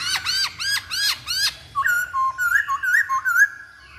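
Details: Lure song of a masked laughingthrush, meant to provoke a bird into singing: five loud, harsh, rhythmic upswept notes about every third of a second, followed by a string of thinner, wavering whistled phrases.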